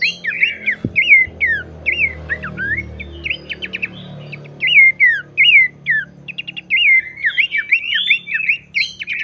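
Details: Abbott's babbler song played to stir other babblers into singing: rapid run of short whistled and slurred notes, many rising and falling sweeps, in bursts with brief pauses, over a faint low hum.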